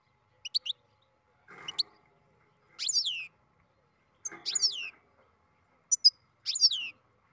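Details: Beginning song of a captive-bred European goldfinch: short high chips, then several buzzy, descending twittering phrases, mixed with softer, lower scratchy bursts, in a quiet room.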